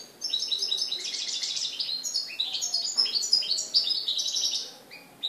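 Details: European goldfinch in Morocco, recorded 4 December 2013, singing a dense, continuous twittering song of bright, high, liquid notes and quick trills that runs almost without pause for over five seconds.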